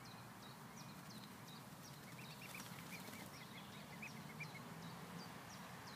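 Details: A swan family lounging on grass after feeding peeps in a quick burst of small, evenly spaced arched notes mid-clip. Sharp high chirps from other birds repeat throughout over broad outdoor noise.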